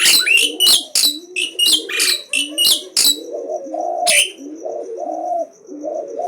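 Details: Asian pied starling singing nonstop in challenge, unafraid: a burst of harsh chattering notes for three seconds, one more loud rasp, then low rhythmic cooing and a thin steady high tone take over.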